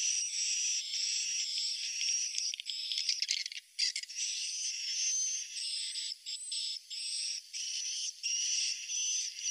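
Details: Roosting swiftlet calls played to attract the birds: a continuous high, rattling buzz broken into pulses, with thin whistled tones riding above and a brief dropout near the middle.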